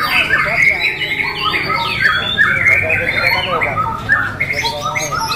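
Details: Caged white-rumped shama at a bird contest, perched on the hanging pole and switching from crouching courtship display to open-beaked long song bursts; varied whistled and chattering phrases, rapid trills and sweeps, constant low background hum and other birds.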